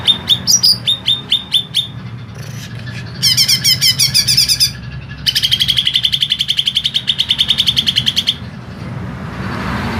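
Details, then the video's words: Green leafbird in long harsh-toned song: a few whistled notes, then a dense burst of rapid notes, a pause, and a long even rattle of quick repeated notes over constant low hum. "CUCAK IJO MASTERAN PANJANG DAN SUARA KASAR"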